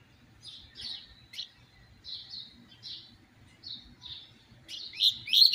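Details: Double-collared seedeater in the "tui tui zero zero" song style: a string of short, high, slurred chips repeated roughly every half second, ending in a louder, fast, bright warbling phrase.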